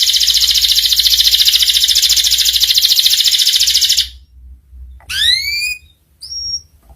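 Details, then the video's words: Canary song used to teach young canaries ngeriwik sounds: a steady high buzzy trill for about four seconds, then silence broken by a few loud swept whistles and a short pure note. "PANCINGAN SUARA KENARI PAUD CEPAT BELAJAR BUNYI NGERIWIK || MASTERAN KENARI PAUD"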